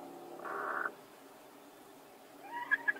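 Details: A hen, one of two fighting to lay in the same spot at the same moment, gives a short, harsh squawk, then after a quiet pause two sharp clucking notes.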